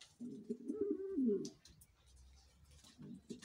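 A King pigeon gives a deep, throaty, rolling coo lasting over a second, then starts a shorter coo just before the end. Faint rustling in a small indoor room.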